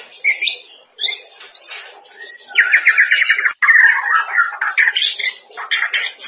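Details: Daily training song of a white-rumped shama for cage birds: short whistled notes, then a long rapid buzzy trill followed by tumbling warbled phrases and sharp chips.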